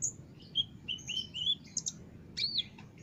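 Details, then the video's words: Olive-backed sunbird, recorded as a training master for caged birds, giving a run of short, thin whistled notes that slide slightly, then a couple of sharp high chips and a buzzy downslurred note near the end. "masteran burung konin gacor dor"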